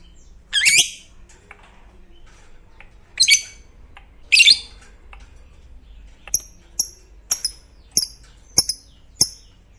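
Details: Fighter lovebird, prized for a long ngekek that sets other lovebirds calling: three rough screeching squawks at the start, followed by a run of short, sharp, clipped high chirps at uneven intervals.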